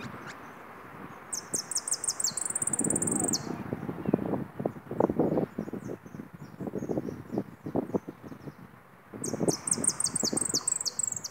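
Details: Goldfinch, a caged singing bird, recorded around midday on Wednesday the 24th, giving two short bursts of fast, high, tinkling notes, the second near the end, over steady rustling and tapping.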